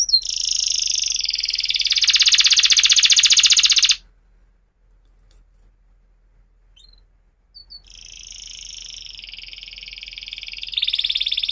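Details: Canary song meant to teach young canaries and restart birds that have stopped singing: a loud, fast buzzy roll for four seconds, near silence, then another high rapid trill.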